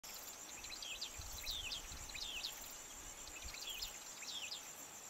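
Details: Mackinnon's Shrike in Nyungwe Forest National Park, Rwanda, March 2013, gives short, squeaky, twisting notes in small bursts about every second, over a steady high insect drone.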